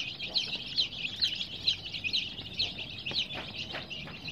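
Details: Chorus of coloured baby chicks peeping continuously, with shrill, downward-flicking chirps that come in quick, uneven bursts over a low background rumble.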